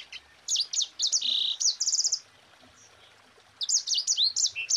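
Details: Mozambique canary in lively, dense rolling song; rapid high trills of bright, sharply repeated notes run for nearly two seconds, pause, then resume with another fast twittering burst over a faint background hiss.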